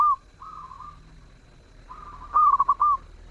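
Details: Melodious zebra dove song: a tail-end coo and softer drawn notes lead into a clear phrase of rapid stuttering coos that ends in one longer, level note.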